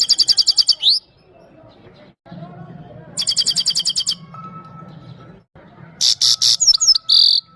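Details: Himalayan goldfinch from Parachinar, sung for a female goldfinch: three bursts of very high, rapid, evenly repeated chirping notes, each about a second long, separated by quieter pauses over a low steady hum.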